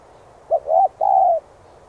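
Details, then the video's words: One cooing phrase from a spotted dove used for training decoy birds: a quick short note, a bowed coo, then a longer even coo lasting about half a second. "Cu gáy THÚC giọng sát bổi kích mồi tập bổi rất hiệu quả/chim cu đất gáy kích bổi,mồi nhanh gáy"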